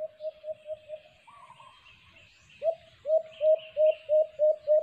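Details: White-eared brown dove (alimokon) near a cage trap: a few soft quick coos, a pause filled with a higher trilling bird, then a loud set of low coos about three a second; a faint insect buzz sits high up.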